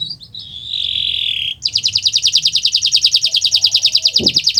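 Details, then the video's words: Canary song used as a master to coax silent canaries, beginning with a drawn-out nasal slurred note, then a long, even, rapid pulsing buzzy trill; a faint low knock near the end. "Masteran Burung Kenari untuk Pancingan Burung Macet Bunyi"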